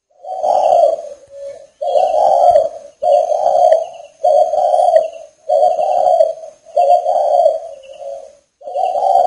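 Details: Northern Vietnamese spotted dove kept at a breeding establishment on a rainy day, giving a fast run of seven or eight deep, burry coos. Some coos end in a short softer note. Thin high tones sound faintly behind.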